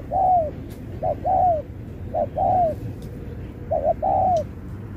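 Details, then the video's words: Spotted dove at a singing contest in the Thúc kèm Bo style, alternating phrasing. Four phrases of a short hoot followed by a long, gently arched coo that drops away, spaced roughly a second apart, with faint clicks and a low rumble. "Bài lối Thúc kèm Bo tráo trở nước như chim ngoại"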